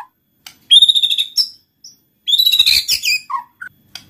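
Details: White-rumped shama song used to stimulate other shamas: a pure high whistled phrase, a brief note, then a fast tumbling run of bright notes ending in two low short notes.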